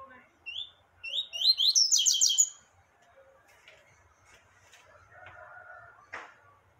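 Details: Rusty-collared seedeater singing a short burst: high whistled up-slurred notes building into a fast buzzy trill, then quiet with faint background chatter and a brief sharp noise near the end.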